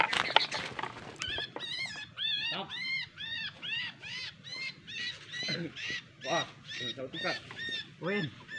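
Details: Sooty-headed bulbul (kutilang) in a lure recording of the cengkeram type, described as a lively singer. It gives a series of arched, ringing notes repeated about every half second, with a brief voice at the start.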